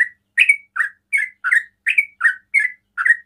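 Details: Sooty-headed bulbul singing in rapid ropel style, used to provoke other bulbuls into calling; a fast run of bright chirpy notes, about nine in three seconds, alternating slightly higher and lower, in a quiet setting.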